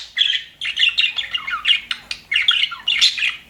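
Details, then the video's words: Several aviary budgerigars, said to be happy, giving quick scratchy chirps and squawky warbles in a rapid uneven string of short notes. "HAPPY BUDGIES SOUNDS"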